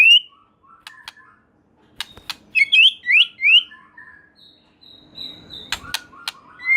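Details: White-rumped shama singing strongly, a song claimed to make other shamas join in: scattered clicks and ticks, then a run of rising whistled slurs, softer notes and sharp clicks toward the end.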